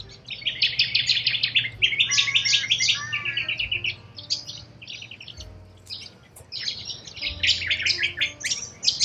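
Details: Wild corella cockatoos in Australia, a flock giving dense, overlapping harsh screeches and chattering calls in bursts, with a brief lull around the fourth to sixth second, over faint sustained music tones.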